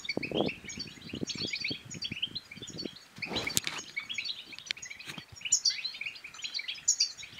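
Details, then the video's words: Song of a European goldfinch, played to encourage other goldfinches to sing and to mate: rapid, high, chattering twitters throughout, low thumps early on, and a loud broadband rustle around the middle. "بتبتات الحسون بتبتة تنطق اي حسون كان صامت سيغرد"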